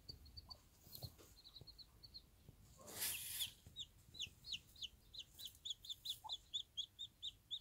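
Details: One-day-old chicks beside their bantam mother on a small backyard farm, peeping steadily: thin high cheeps, sparse at first, then a brief broadband rustle, then a fast regular run of bright peeps about twice a second.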